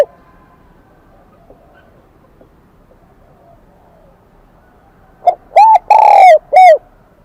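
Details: After about five seconds of near silence, a newly caught spotted dove of the 'kim đồng' voice type delivers one phrase: a short note, an arched coo, a long falling coo and a final coo.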